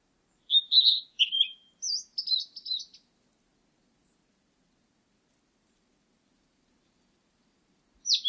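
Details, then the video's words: Blue-and-white Flycatcher recorded in 2020: a quick phrase of clear whistled notes, then slurred and buzzy warbled elements over about two and a half seconds, falling silent before a new phrase begins near the end; no other sounds. "큰유리새, 1번 듣기, 곤충소리, 새소리"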